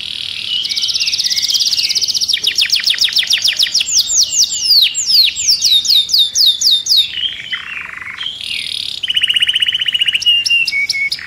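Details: Agitated caged canary singing a fast, varied song of bright trills and rolling phrases, high buzzy notes dropping to lower rattling trills and rapid repeated chips.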